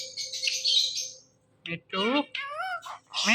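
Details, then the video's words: Pet ring-necked parakeet talking and imitating sounds; a high buzzy chatter, then after a pause several loud wavering whistled syllables rising and falling, with a person's voice repeating words nearby. "Talking Ringneck Parrot Making Sounds"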